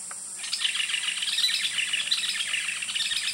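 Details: Yellow-billed nunbirds sing from the canopy at Sani Lodge on the Rio Napo, Ecuador, in a dense, fast run of bright overlapping chattering notes, with a steady high insect hiss behind.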